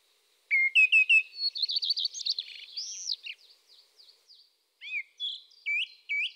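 Eurasian tree sparrow giving quick, bright chirps, a short chattering run, then more spaced, slightly rising cheeps. No other sounds stand out.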